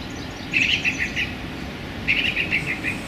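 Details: A male song thrush sings in a small London park on a sunny January day. He gives two bright, repeated phrases of clear notes, each about a second long, over a low hum of background noise.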